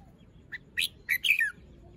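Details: Caged red-whiskered bulbul in the morning showing its song style, feathers fluffed, still moulting with crest not fully grown; a short phrase of bright chirped notes, rising and falling, four quick bursts within about one second.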